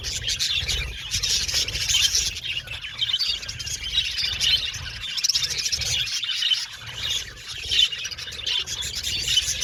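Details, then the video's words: Colony of budgerigars in an aviary, chattering nonstop: dense, overlapping high chirps and warbles with no gaps, over a steady low rumble. "Beautiful Budgies Chirping Sound | Happy Budgies Natural Sounds"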